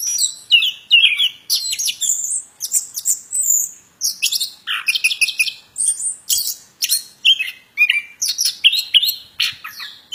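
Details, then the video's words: Plontang bird singing actively, a dense run of high chirps, whistled slurs and short trills, some sweeping down from about eight to two kilohertz, delivered in quick bursts with brief pauses; no other sounds. "Burung Plontang suara mantab Gacorr"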